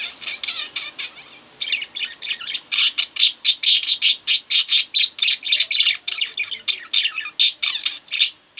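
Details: Home budgie pair in a long, loud bout of chattering: rapid, harsh, rhythmic chirps in near-continuous succession after a brief softer opening.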